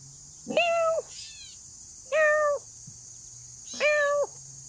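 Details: Gray Catbird in northern Illinois, recorded in late summer near Hickory Knolls, gives three nasal, cat-like mews, each about half a second long and slightly drooping, spaced every one and a half seconds over a steady high insect drone.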